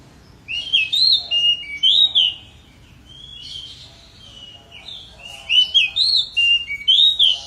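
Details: Pied bushchat in energetic song: short, bright, high whistled phrases with rising and falling notes, delivered in a quick run, a pause, then a second similar run of about five notes; faint background hum.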